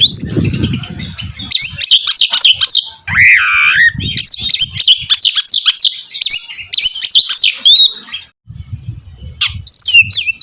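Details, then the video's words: Oriental magpie-robin, a lively singer prompting another to join in, gives a long run of fast, looping high whistles and one harsh slurred note, over low thumping background noise. "kacer gacor mancing kacer lain ikut bunyi"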